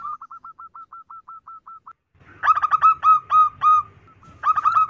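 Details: Female zebra dove calling, used as a lure for males: a quick run of short, even cooing notes, then louder, stuttering rolled coos in rapid bursts with a low rumble beneath.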